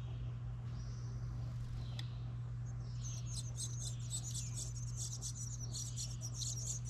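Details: House wren nestlings being fed in a recycled license plate birdhouse outside a home in New England; thin, very high chirps in a rapid, steady series start halfway through over a constant low hum.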